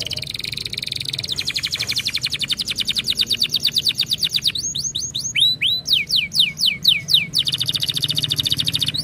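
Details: Canary song meant to stimulate singing: a long run of rapid buzzy trills in repeated tours, shifting to slower, loud, downslurred whistled notes near the end.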